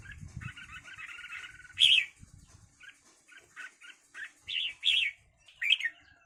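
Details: Red-whiskered bulbuls fighting: low buzzy chatter, then a series of short harsh notes and loud shrill squeals, with some low scuffling noise at the start.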